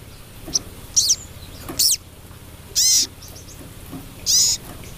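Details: Female crested jay calling the male with loud, harsh, hissing bursts, each ending in a falling slur, spaced about a second apart, with a few softer ticks between.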